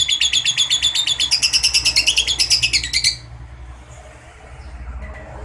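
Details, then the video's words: Lovebird trilling in the long 'ngekek' style used to prompt other lovebirds to sing: about three seconds of fast, regular, buzzy high pulses, rising slightly in pitch, then the bird stops and faint background hum remains. "pancingan LOVEBIRD NGEKEK PANJANG"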